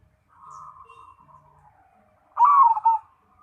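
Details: Zebra dove, called perkutut and merbuk, a black cemani bird kept as a songbird and contest bird, in full song: a soft level coo around one pitch followed by a loud, rich burst of rolling coos.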